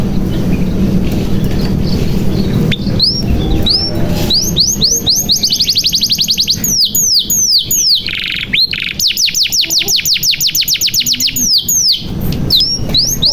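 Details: Canary song played to prompt silent canaries to sing: a quiet start, then long, fast rolls of sweeping whistled notes that speed up and slow down, with brief breaks.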